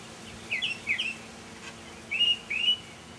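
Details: Mockingbird in a May 2007 evening performance, softer phrases here: two quick slurred chirps, a pause, then two longer rising whistles.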